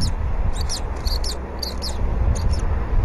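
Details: Bald eagles on a live nest cam during a morning feeding of the eaglet with fish in February 2019; clusters of high, quick twittering squeaks come in short bursts over a low windy hum.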